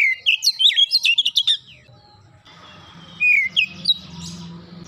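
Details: Oriental magpie-robin pouring out a fast run of bright whistled and chattering notes, then a quieter pause with faint background hum before another short whistled burst.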